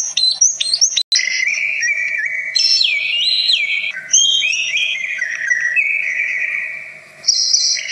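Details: Many-voiced song of the greater green leafbird, said to provoke other birds: long, smooth, wavering whistles that step up and down in pitch, joined by brief chirps and a final high trill.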